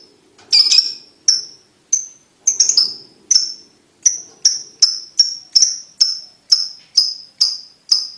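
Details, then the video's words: Lovebird ticking call for teaching young lovebirds to trill quickly: evenly spaced, clipped, high metallic ticks roughly twice a second, a couple of rougher notes near the start, otherwise clean. "Lovebird Ngetik Ngetik Untuk Pacingan Paud Cepat Ngekek"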